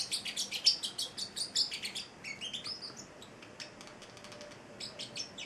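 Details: Young male Celestial parrotlet, eight weeks old, pet: a fast volley of loud high chirps fading into softer, scattered twitters after two seconds.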